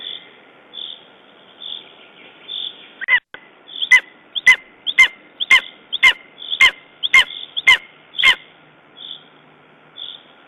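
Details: A Lesser spotted eagle at the nest in Estonia, 14 June 2011, shaken after a raven attack, calls a run of about nine loud, clipped yelps roughly every half second over a steady backdrop of soft, higher repeated notes.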